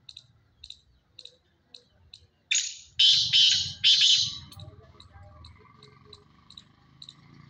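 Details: Black francolin, kala teetar, calling: a series of loud harsh grating bursts in quick succession, framed by soft regular ticking notes about twice a second and low background rumble.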